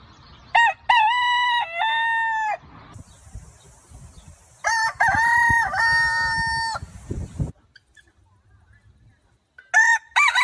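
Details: Rooster crowing: a loud harmonic cock-a-doodle-doo of stepped notes held about two seconds, a second crow around five to seven seconds, and the start of a third near the end, with a faint high hiss between.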